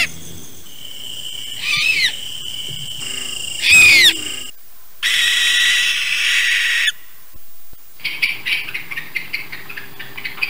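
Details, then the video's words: A Barn owl, a species found in Idaho that hunts at night and often lives in barns, gives a series of harsh, hissing screeches, each one to two seconds long, rasping and breathy rather than hooted, with short pauses between them. "this is a barn owl and they do not make the hoot sound they sound like they are screeching and if you were in a barn at night it might be scary to hear that sound"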